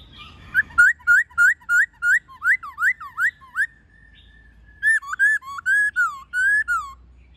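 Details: White-cheeked laughingthrush giving wild-style song with many voices, meant for training caged birds: about a dozen rapid rising whistled notes in a steady series, a pause, then a warbling run of looping, falling whistles.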